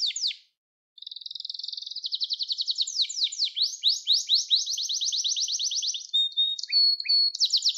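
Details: Domestic canary song for training youngsters: an opening falling note, a short pause, then a long accelerating trill of rising whistled strokes, a flat sustained tone with low chips, and a final bright trill.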